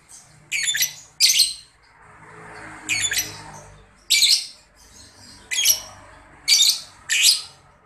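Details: A Grey-cheeked Bulbul in breeding condition gives 'typing' calls said to precede long chattering: harsh, buzzy, high squawks in about seven short bursts, irregularly spaced across eight seconds, over a faint indoor hush.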